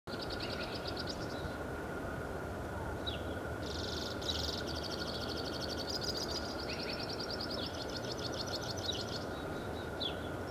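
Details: At President Murray Park, Saskatoon, on 20 March 2019, a white-winged crossbill sings a long, varied run of high, dry trills and buzzy rattles, almost without pause, over a steady low rumble and a constant thin hum.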